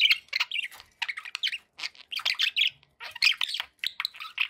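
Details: Several quick bursts of budgie chatter, high scratchy chirps and warbled squeaks run together in phrases of about a second, separated by short gaps.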